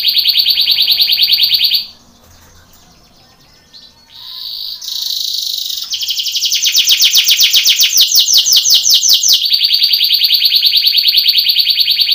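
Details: Belgian canary training song for contests: high rapid trill, a quiet gap, short buzzy notes, then a long fast trill moving into a steady rolling phrase.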